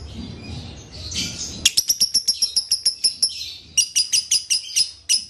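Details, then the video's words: Lovebird giving dobelan chirps, described as konslet: soft rustling and a faint warble first, then a burst of sharp high chirps, a brief break, and another quick series. "Suara dobelan lovebird"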